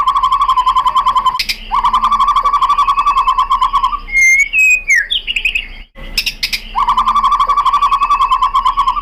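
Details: Song of a white-rumped shama used as a lure to make other shamas answer: long rapid chattering rattles of low repeated notes, interrupted by a short phrase of clear rising and falling whistles.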